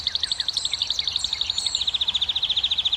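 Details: Singing canary, a song meant to excite females into breeding, delivering one fast, even, high-pitched trill of rapidly repeated notes through the whole stretch, with faint higher notes above.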